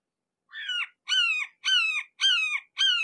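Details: Red-shouldered hawk seen close up, calling a steady series of five ringing, downslurred screams, each about a third of a second, repeated roughly twice per second with no other sounds.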